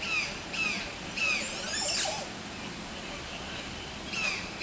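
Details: Montezuma oropendola at a residential area in San Pedro Sula, Honduras, giving harsh, downslurred nasal notes in quick bursts, with a louder rushing, gurgling sweep in the middle over a steady hiss.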